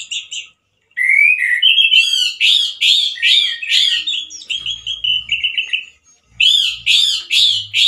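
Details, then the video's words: Loud, harsh singing of a male orange-headed thrush in 'teler' style. A rising whistle leads into rapid repeated buzzy phrases, then a brief pause before another energetic burst. There is faint low rumble. "ANIS MERAH GACOR SUARA KERAS DAN KASAR SEPERTI DI ALAM LIAR-ANIS MERAH JANTAN GACOR TELER"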